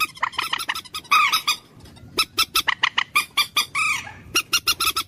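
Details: Common moorhen giving sharp, metallic clucks in a quick series, mixed with several rising-falling squawky notes.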